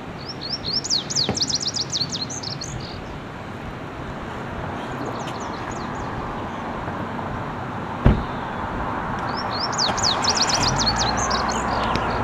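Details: Lazuli bunting singing in 2017: two short bursts of high, rapid, slurred notes, about eight seconds apart, over a steady low rumble of passing traffic.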